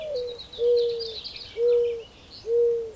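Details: Mourning dove cooing, the tail of a slurred note followed by three long, even, low hooting coos spaced roughly a second apart, with soft high twittering of other birds behind.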